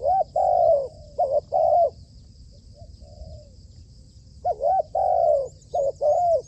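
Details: Spotted dove trained as a trapping decoy. It coos loudly in two phrases of clipped notes and drawn-out mellow coos, with a softer coo in the pause between them. Faint high chirping is heard behind.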